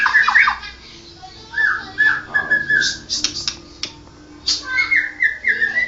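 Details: White-rumped shama, Medan 'blorok' type, giving a few quick slurred whistles, then quieter spaced notes and a drawn-out level whistle, with soft background noise between phrases.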